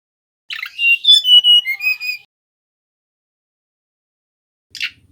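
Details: Male mangrove whistler song, played as a lure: a scratchy start followed by a string of clear, fluting whistles stepping up and down, then silence and a short burst of rough noise at the end.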